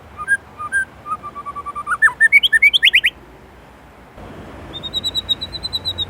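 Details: White-rumped shama (murai batu) from Indonesia in 'isian' song: low-pitched whistled notes building into a rising, accelerating string of bright notes, a pause, then a thin high trill of evenly spaced notes.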